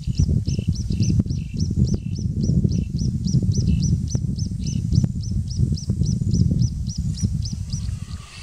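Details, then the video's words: Croaking cisticola near Victoria Falls giving a steady series of high, sharp double notes, about three per second for seven seconds, over a heavy low rumble of wind. "Croaking Cisticola"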